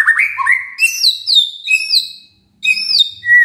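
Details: Shama singing as a lure for a quiet bird: rich whistled phrases that drop and slide at high pitch, a short silence, then more bright, sweeping whistles.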